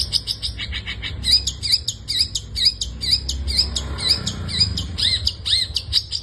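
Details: Steady series of high chirps, each with a rising-falling slurred whistle below it, repeated about twice per second, from a long-tailed shrike singing in 'gacor full isian' style.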